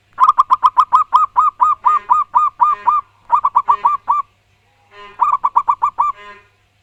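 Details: Loud, vigorous zebra dove song from a local wild-type bird: a long, fast run of about a dozen even, arched cooing notes, followed by shorter bursts of the same staccato coos separated by brief gaps.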